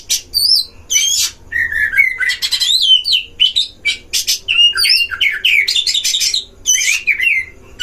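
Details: Oriental magpie-robin singing at a breeding cage as a lure to stir up other magpie-robins: fast, loud medley of whistles, warbles and scratchy buzzes, repeated in phrases about a second apart.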